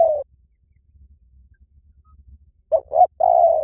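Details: Spotted dove lure call, for drawing in wild birds in any forest: a clipped end of a coo, then a quiet pause, then two short low coos and a long, even, drawn-out coo running to the end.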